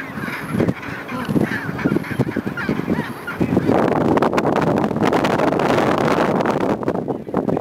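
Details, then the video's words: Gentoo penguins at Neko Harbour on the Antarctic Peninsula, Antarctica, giving harsh, honking, harmonic calls repeated in quick bursts for about three seconds. A loud, broad rushing noise like wind or surf follows and covers the rest. "Gentoo Penguins, Neko Harbour, Antarctic Peninsula, Antarctica"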